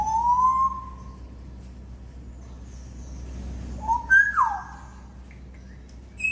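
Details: Domesticated African grey parrots whistling: a smooth rising-then-level whistled note, then after a pause a few quick sliding whistles that jump up and fall, with a short high note at the end and soft background hum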